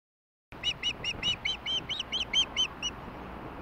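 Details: Osprey at a nest in Hellgate, Montana, filmed by a nest camera on 20 May 2016 at 17:22 during a big late evening meal; a run of about twelve sharp, high whistled chirps follows silence, spaced roughly quarter-second apart.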